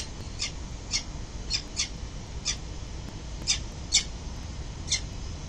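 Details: Peregrine falcons arriving at their building nest early on a November morning; scattered sharp high calls, about eight in five seconds, over steady low city rumble.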